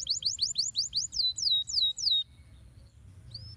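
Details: Canary singing, used to prompt lazy canaries into song: a rapid series of bright rising-falling whistled notes slowing into longer descending slurs, then a pause and one faint upward whistle.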